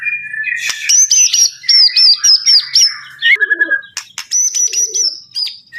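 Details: White-rumped shama, murai batu, singing loudly: clear whistles and rapid trills, with sharp high repeated notes in quick bursts and a few lower warbled phrases.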